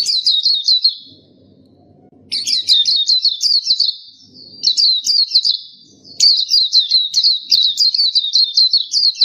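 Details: Black-capped white-eye singing in repeated phrases of quick, high, bouncing chirps, with short pauses between them. The phrases become a longer unbroken twittering run toward the end.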